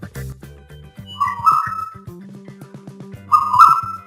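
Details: Asian koel (Eudynamys scolopaceus) call: two clear, rising whistled notes about two seconds apart over a steady backing of music.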